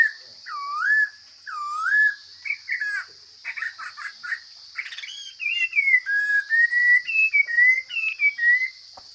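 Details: Chinese hwamei from the forest singing: looping whistled swoops, then broken fragmented notes, then a quick rising and falling whistled run. A steady high-pitched hum runs in the background.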